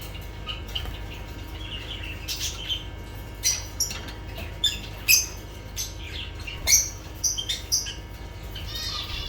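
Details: Lovebirds giving scattered short, shrill chirps and squeaks, some sharp and clicking, spread irregularly through the recording over a steady low hum.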